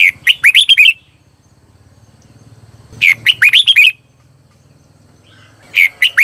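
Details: Red-whiskered bulbul, a decoy bird singing in the morning to call in wild birds, in a lively Vietnamese 'hót ché' style: quick bursts of high, clear whistled notes rising and falling, about a second each, separated by short pauses.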